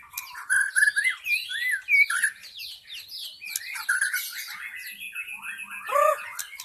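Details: Lure song of a forest white-rumped shama, meant to attract wild birds: busy varied whistles and slurred notes, with a strong downward whistled phrase near the end.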